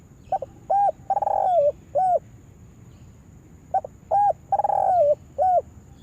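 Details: Trapping lure spotted dove coos twice, each phrase a stutter of brief hooked notes, a drawn-out purring coo sliding down, then one short closing note; faint steady background hum.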